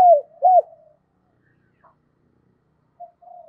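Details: Spotted dove kept as a decoy, cooing to call in wild doves, in the 'giọng thổ sấm' voice style. It gives two loud, arched coos in quick succession, then a long pause and faint, soft trailing notes.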